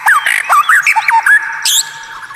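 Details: Caged white-rumped shama on a masteran recording: a few loud whistled and warbled notes sliding up and down, ending with a high buzzy burst over a steady hum.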